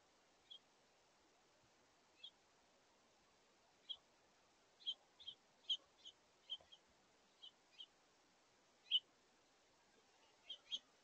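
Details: Mid-August, a family of house finches with juveniles shares a feeder, giving clipped, high chirps. They start sparse, grow into a busier cluster midway, then thin out. Soft hiss in the background.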